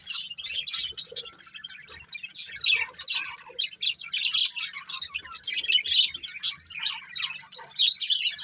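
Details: Budgies, a breeding pair, keep up a long run of busy, rasping high chirps and warbles, rising and falling in loudness in uneven bursts throughout.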